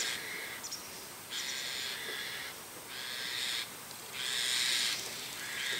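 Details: In the morning, a White-cheeked starling perched on an antenna gives harsh, grating, wheezy bursts about a second long in quick succession with brief pauses, loud and rasping, while various other birds call around it.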